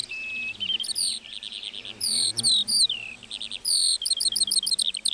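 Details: Meadow lark song made of quick whistled phrases, some long falling slurs and others clipped into rapid chirping runs, broken by brief gaps; faint low rumble in the background.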